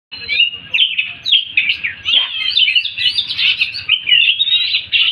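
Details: Oriental magpie-robin, kept bird, practising its song alongside another magpie-robin: a continuous run of varied, warbled whistles and quick chirpy notes, bright and high, with a faint low rumble underneath.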